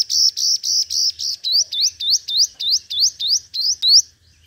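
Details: Hút mật 5 màu sunbird singing in competitive lure style: several loud buzzy notes followed by a steady series of about nine sharp rising whistles, roughly three per second, then a quiet ending.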